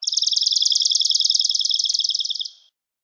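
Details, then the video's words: Swamp Sparrow (Melospiza georgiana) singing: a slow, even trill of high, sweet notes repeated about every tenth of a second, lasting over two seconds and fading at the end. "Swamp Sparrow Song! Swamp Sparrow Call! Sound, Chirp - Gorrión Pantanero Canto"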